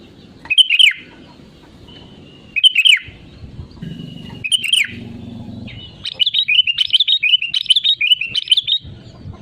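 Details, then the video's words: Sooty-headed bulbul singing lively, used to lure other bulbuls into song: three short falling liquid phrases spaced about two seconds apart, then a fast burst of bubbly chattering warbles, over faint low rumble. "BURUNG KUTILANG GACOR SUARA ASLI PALING AMPUH UNTUK PANCINGAN AGAR IKUT BUNYI GACOR"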